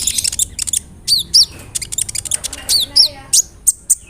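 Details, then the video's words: Sunbird song used as a lure to provoke singing, a rolling style filled with mimicked cricket and other bird phrases; very high thin chirps and sharp flicked notes in quick bursts over a low steady hum. "PANCINGAN SUARA BURUNG KOLIBRI NINJA (KONIN) ROLL NEMBAK, ISIAN JANGKRIK, CILILIN, GEREJA, CERR"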